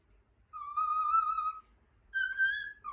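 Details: Cockatiel kept as a pet whistling Over the Rainbow: one long steady whistled note held over a second, a pause, then a higher, slightly wavering note ending in a short drop.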